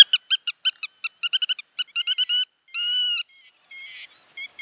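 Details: Black-tailed godwits calling on the Bug River: a fast run of clipped, nasal, evenly spaced notes, then a few longer drawn-out calls and a last pair of short notes, with a quiet, clean background.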